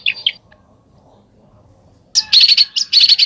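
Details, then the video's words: Bird in besetan song: two brief high notes, a pause of nearly two seconds, then a burst of rapid, sharp, piercing chatter. "SUARA BURUNG BESETAN"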